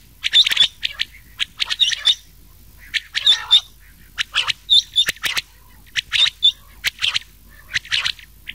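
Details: A mixed recording of rain quail and common quail meant for summer night hunting: shrill, clipped paired notes and harsh chirps in a steady run of short bursts, with no other sounds.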